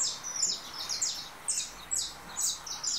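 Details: Saffron finch, 'russo', just out of moult, in a singing duel with a canary recording: high chirping notes in bursts about twice a second, fairly quiet against steady background hiss.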